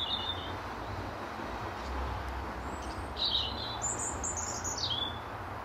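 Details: European robin singing from its usual branch in an apple tree, defending territory in the final hour of daylight; thin, high warbled phrases come in short bursts with pauses, over a steady low rumble.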